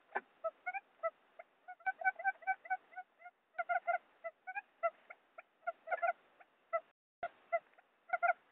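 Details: Quail lure call used for trapping: short harmonic notes given singly, in pairs and in quick bursts at irregular gaps, clean with no other sounds.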